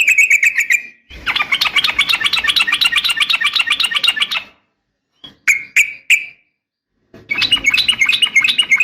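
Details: Female sooty-headed bulbul calling a male, a fighting 'garuda' style for training birds: a dense, buzzy stream of fast high chatter, broken by a short silence and three sharp chirps, then the chatter resumes.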